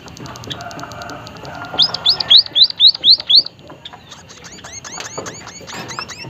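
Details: White-headed munia, emprit haji, a seed-eating bird of the Malay Peninsula, Sumatra, Java and Bali, giving a run of six high arched whistled notes about four per second, preceded and followed by softer scattered chirps from other small birds.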